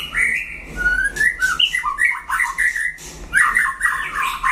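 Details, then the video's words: White-rumped shama in a singing duel against a rival, pouring out rich warbled whistles with quick rising and falling slides, almost continuous, over faint low background hum. "đấu solo (shama bird)"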